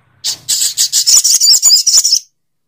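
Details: A sogok ontong bird delivers a loud grating rattle, a quick run of about ten rasping pulses over two seconds.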